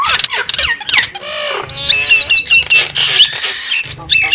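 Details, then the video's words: Javan myna lure call for attracting wild birds: a dense jumble of harsh chattering notes, slurred whistles and rattling squawks, with bright high whistled phrases overlapping almost continuously. "suara pikat burung jalak kebo"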